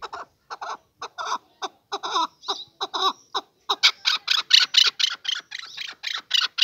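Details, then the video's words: Male chukar partridge calling in a rapid series of harsh, clucking chuk notes, roughly four per second, growing louder and more insistent toward the end. "Kınalı erkek keklik sesi"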